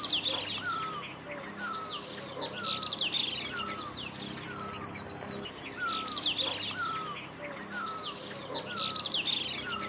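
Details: Streaked laughingthrush in Uttarakhand, Himalayas, giving short slurred whistled notes, about one a second, over busy high chattering from other birds and a steady insect hum.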